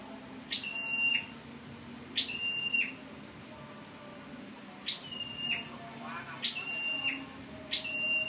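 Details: Scarlet-backed flowerpecker, used as a lure call, recorded 12/10/14, giving thin, high calls, each a sharp downward flick into a short level whistle, repeated about every one and a half seconds over a faint low hum.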